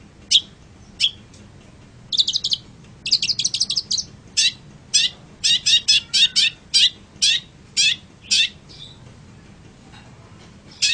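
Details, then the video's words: Long-tailed shrike song used to train other songbirds: crisp, high single notes repeated roughly twice a second, broken by a dense rattling chatter near the start. "suara burung pentet untuk masteran"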